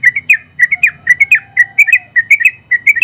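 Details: Contest-champion Sooty-headed bulbul, a caged trucukan in long ropel song for tutoring, sings quick doubled whistled notes in short clusters, with a faint steady tone and low rumble underneath.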